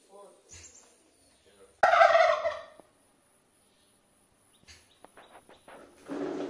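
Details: Turkey while feeding, giving one loud rattling gobble lasting about a second, followed by quiet scattered clicks and short noises, then a harsh noisy burst at the end.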